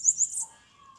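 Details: Bananaquit in a fight with a rival bird, Maceió: three quick, very high chirps, then silence with faint low hum.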